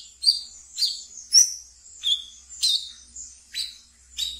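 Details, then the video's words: Captive wiceh in ngeriwik song, a recording meant as a lure for brown-throated sunbirds: bright high chirps repeated roughly twice a second, each note sharp and slightly buzzy. "Wiceh Ngeriwik Yang Asyik Untuk Di Pelihara dan bisa untuk Pancingan Terapi Bahan kolibri kelapa"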